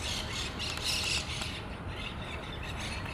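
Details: Colony of monk parakeets at their shared communal nest in Pasir Ris Park; a quick run of grating squawks in the first second and a half, then only softer calls over constant low background hiss and rumble.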